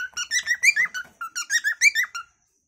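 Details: Cockatiel singing its natural calling song indoors as a pet: a brisk two-second string of bright, squeaky warbled notes with strong overtones, roughly five per second, ending abruptly in silence.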